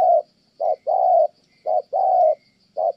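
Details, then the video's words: Soft mellow cooing from a spotted dove kept for trapping in Kon Tum, Vietnam, with short and long notes alternating in a steady beat, three pairs in quick succession. "Thổ Âm Tốt, đang gù ngon thì mái phá đám"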